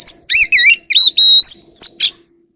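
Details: Oriental magpie-robin song, the forest-voice style used to call the flock: quick rolling, warbled notes that dip and rise, then long pure whistles held steady and bright, finished by a short harsh note.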